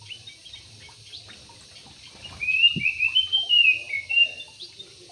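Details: Yellow-vented bulbul kept in an aviary delivers one chattering, bubbly phrase of linked whistled notes, undulating up and down, midway through. A single soft knock is heard in a quiet background.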